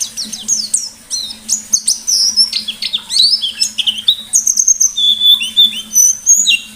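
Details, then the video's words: Gacor pleci white-eye in the ngalas style, used as a lure: varied high, fast twitters and slurs, then several longer thin whistled notes near the end, with a low steady hum behind. "Burung Pleci Gacor Ngalas Nembak || Pancingan Pleci Ngalas"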